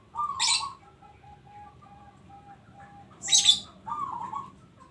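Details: Actively singing local zebra dove. A warbled coo is followed by a run of evenly spaced soft, steady notes, then a loud high chirp and another rolling coo.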